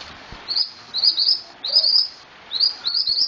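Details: Scarlet-headed flowerpecker singing actively (gacor): short, high, sharp twittering phrases of quick chirps, each burst under a second, separated by brief pauses, with a faint low call in between.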